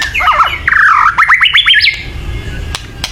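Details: White-rumped shama giving loud excited calls used to provoke singing: a quick run of rising slurred whistles climbing in pitch, ending in a sustained note and a couple of sharp clicks.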